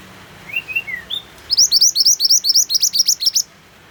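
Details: White-eye (mantenan) song over rain sounds for bird therapy. It opens with a few faint, soft whistled slurs, then breaks into a dense two-second string of about seventeen sharp, high chirps that curl upward.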